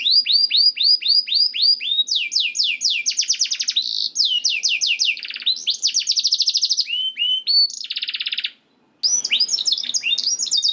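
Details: Long canary song to stimulate other canaries to sing: series of repeated falling whistles, rapid rattling trills and buzzy rolls in quick succession, a brief silence, then more sweeping notes.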